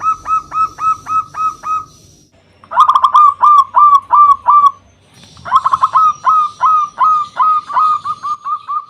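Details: Loud-voiced local zebra dove singing to call up and provoke rivals: repeated phrases of clear, hooked coos, about three a second, separated by short silences, one phrase opening with a fast rolling trill.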